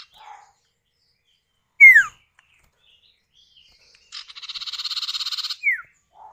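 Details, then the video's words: Male and female common iora duetting, used as a lure to set other birds singing: one bright downslurred whistle, a pause, then a long buzzy pulsed rattle followed by another falling note. "Pancingan Burung Sirtu atau Cipow, suara jantan betina bersahutan"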